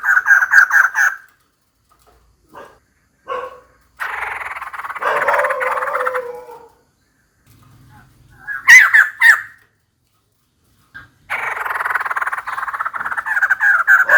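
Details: Female white-crested laughingthrush calling for a mate, heard in bursts: a short loud rattle, then a long harsh chattering phrase, a few sharp loud notes, and finally another rising run of rapid rhythmic chatter.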